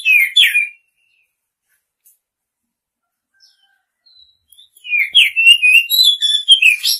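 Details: Female Oriental magpie-robin chirping to the male: a brief burst of sliding notes, then near silence for four seconds, then a fast series of slurred, downward-bending chirps repeated several times a second.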